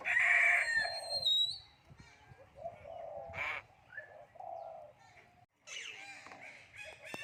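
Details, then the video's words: Common hill myna mimicking human speech: a loud, rasping, talk-like opening, quieter mumbled syllables with one brief burst, a short silence, then a renewed noisy, chattering phrase. "common hill myna speaking human language"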